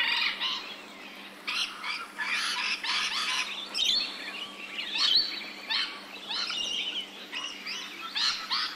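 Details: Rainbow lorikeets, Australian birds, chattering in bursts of grating screeches mixed with thin shrill squeaks and whistled notes, several birds calling over a steady background hiss.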